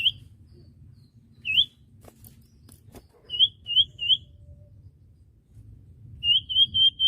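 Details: Common iora (cipoh) song on a recording made to train young birds; short sharp upslurred whistles given singly or in quick groups of three, with a final string of rapid notes, over a faint low rumble.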